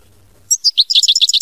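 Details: A European goldfinch in mama binette song style starts after brief silence with three spaced high chirps, then speeds into a rapid run of bright, liquid twittering notes.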